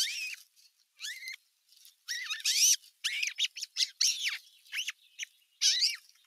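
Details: Squabble between larger osprey chicks at nest #1, June 2023: rapid series of piercing, whistled chirps sliding downward, some bent and wavering, delivered in quick uneven volleys with brief pauses.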